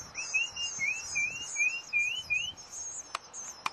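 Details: Hungry bluebird nestlings in a decorative birdhouse left outdoors into spring; a series of clear, rising whistled notes repeated about every third of a second, with a steady high insect drone behind and two sharp clicks near the end.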